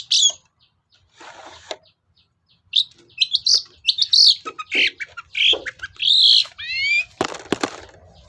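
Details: A long-tailed shrike sings a lure phrase for coaxing other shrikes to call: scratchy chatter and piercing high notes, a series of steep rising whistles, then a harsh noisy burst near the end, after a quiet start.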